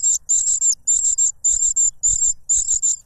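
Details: A cuckoo chick clamours for food from its foster parent, which plugs its beak with a butterfly; piercing high-pitched hissy notes bunched in rapid clusters of three, with brief gaps between bursts.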